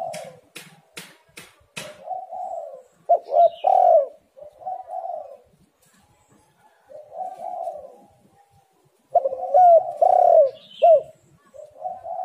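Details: Spotted dove cooing, played as a lure to get other doves calling. A few sharp clicks come first, then soft rolling coos broken by loud, arched, emphatic notes, with pauses between phrases.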